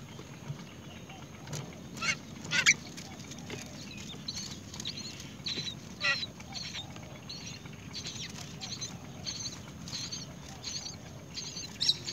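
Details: Great myna feeding earthworms to its young; a series of scattered short, scratchy squawks and chattering bursts recurs every second or two, some louder, against a faint continuous hum.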